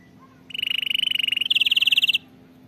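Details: Canary singing, recorded for teaching canaries to sing: two rapid rolled trills, the first steady and lower, then a slightly higher, louder roll, each lasting about a second.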